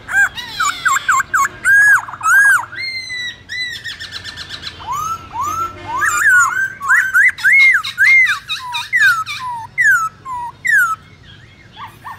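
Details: Black-throated laughingthrush singing in the wild-voice style used to train young birds: loud, varied phrases of rising and falling whistled slurs mixed with harsh, buzzy chattering notes, delivered in rapid bursts.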